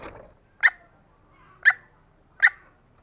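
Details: Female green junglefowl calling actively to lure lazy males: three short, clipped clucking notes spaced roughly a second apart, with faint low rustling at the start.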